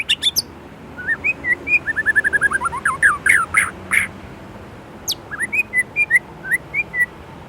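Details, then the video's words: Indonesian white-rumped shama singing energetically: loud scratchy opening notes, a fast run of descending whistles, harsh ringing blasts, a pause, then softer rising whistles spaced about every half second. "Murai Gacor isian Gurih"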